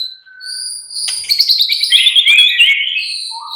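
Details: White-rumped shama relaxed song used to spur other shamas into lively chattering: long level high whistles leading into a dense tangle of fast warbled and buzzy notes, ending on a short lower whistle.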